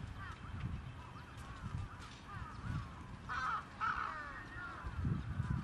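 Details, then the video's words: Trapped crows calling together: overlapping short arched caws, with louder harsh bursts near the middle and steady low rumbling underneath. "Crows Trapped"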